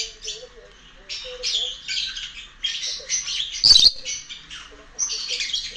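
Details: Pet lovebird searching for its friends, giving scratchy chattering bursts in short groups with brief gaps, plus one sharp click or tap midway.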